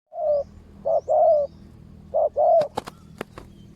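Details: Spotted dove used as a decoy in ground trapping, answering wild doves: mellow low coos, a short note then two drawn-out phrases, repeated after a pause, followed by sharp clicking knocks.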